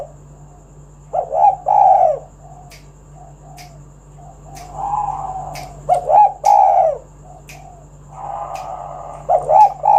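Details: Spotted dove, lure recording to draw other doves into song: irregular loud, low, hoarse coo phrases with soft humming between them, accompanied by sharp faint clicking taps.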